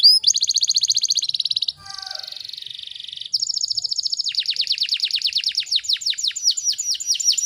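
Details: Canary tutor song with dense phrasing: high rapid trills, a brief buzzy pause, then a long stretch of quick descending sweeps repeated about three per second.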